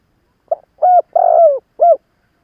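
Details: Single cooing phrase from an experienced decoy spotted dove used to provoke rivals: a soft short lead-in note, a steady coo, a longer coo dropping at the end, then one short final coo, with no other sound.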